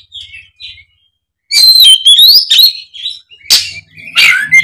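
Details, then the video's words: Oriental magpie-robin in combative song: soft whistles, a silence, then a loud burst of high, sweeping whistles and rapid chattering notes, ending in harsh rasping calls over a slight low hum. "kacer ON tarung bongkar isian pancingan kacer malas bunyi seketika gacor"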